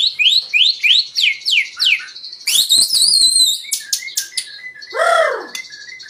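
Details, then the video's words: Song of a white-rumped shama, played to stir other birds into full song: a run of quick downslurred whistles, then harsh buzzy bursts, sharp clicks and a lower arched note. "Pancingan murai batu 🔥 Naikan emosi burung auto ikut gacor"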